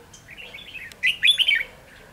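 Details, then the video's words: Red-whiskered bulbul used as a decoy bird for trapping, recorded 7 November 2016: a quiet lead-in, then a loud burst of bright warbled notes sliding up and down, closing with a descending phrase. "Bẫy chào mào"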